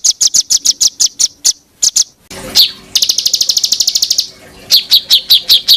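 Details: Cage-bird tutoring masteran recording of varied songbird material. It opens with rapid high chips, then a noisy burst and a fast buzzy high trill, then spaced sharp chips after a pause. The cuts between parts are abrupt.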